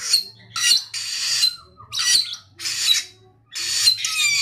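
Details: Energetic samyong singing with grating, broadband squawks in rapid bursts, short quiet breaks and a falling whistled note between them, over a faint low hum.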